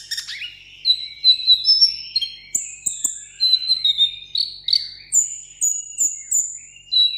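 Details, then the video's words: Caged sunbird in a solo singing contest pours out a varied run of high whistled and slurred notes, some dropping in pitch, ending in a string of very high repeated whistles. "hút mật 7 màu hót đấu solo"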